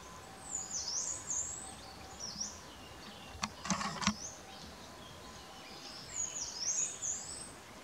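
Ashy minivet giving two bursts of high, jingling, trilled notes several seconds apart, with a brief rustling knock between them over steady background hiss.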